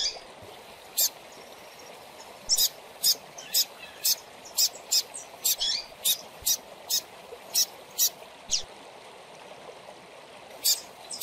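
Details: Calls of a young double-collared seedeater chick, used to stimulate captive birds: a long, fairly rapid series of around twenty short, hissing high bursts, clustered in the middle, with a few quieter buzzy notes among them.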